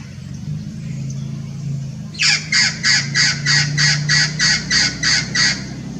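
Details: Blue-fronted x Red-crowned Amazon hybrid at Irvine Regional Park, Irvine, California, 9 January 2018, winter: after two seconds of low hum, a steady series of eleven rasping, screeching squawks follows at roughly three per second.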